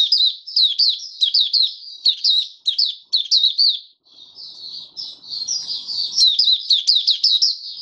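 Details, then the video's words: White-eye opening its song on 08012022: a fast, sustained stream of high chirped notes, quick downward slurs repeating densely, a short break, then an even busier twittering run. "Mata Puteh Raja Stablizing his form buka sing"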